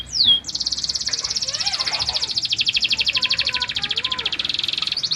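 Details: Fighting canary training song: a single downward sweep, then a long, steady, rapid high trill held for over four seconds, with faint lower warbles behind it.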